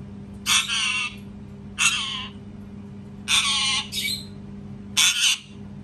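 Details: Loud parrot screaming in a series of five harsh, raspy squawks at uneven intervals, each under half a second, some doubled, over a low constant hum.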